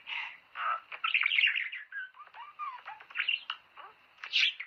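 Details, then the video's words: Budgerigar warbling to spur mating: scratchy chirps, soft descending whistles and clicking notes, closing with a sharp loud squawk. "حفز طيورك على التزاوج"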